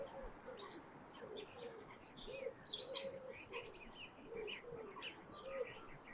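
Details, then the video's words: Winter dawn chorus at sunrise over the Thames near Twickenham on a frosty morning: bursts of high, rapid chirping come in three bouts, while soft, low cooing notes repeat steadily underneath. "Winter Sunrise over the Thames and Birdsong"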